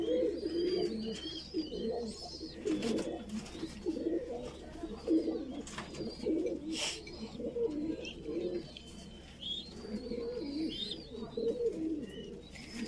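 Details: Voorburg Shield Cropper pigeon chick during feeding, keeping up continuous low, throaty, fluttering begging sounds, with scattered high chirps from nearby birds and occasional sharp clicks or rustles.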